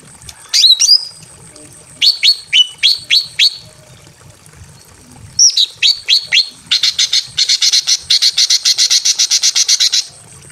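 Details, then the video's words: Greater green leafbird, a female in breeding condition calling for a male in a simple aviary, gives downward-slurred whistles in short runs, then a long fast series of harsh, rasping repeated notes lasting several seconds. "KICAU BURUNG CUCAK IJO BETINA MEMANGGIL JANTAN BIRAHI KAWIN DI KANDANG AVIARY SEDERHANA"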